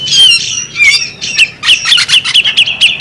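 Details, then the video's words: Female bearded magpie robin producing a squeaky, scratchy chatter, ending in a series of short, evenly spaced chirps at the same pitch. "the alluring sound of a female bearded magpie robin"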